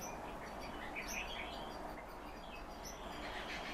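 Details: Captive calandra lark delivering a rapid, uneven chatter of high chirps and short warbled notes throughout, set against a steady hiss.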